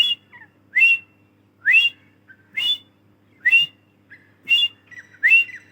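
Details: Female grey francolin (teetar, Dakhni type) calling: loud rising whistled notes repeated roughly every second, each a sharp upward-sweeping phrase, with softer short whistles in between and a faint low hum beneath.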